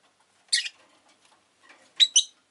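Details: Rosy-faced lovebird giving shrill, harsh chirps: one burst, a pause, then a quick pair of sharp high notes, with possible town noise such as traffic in the background.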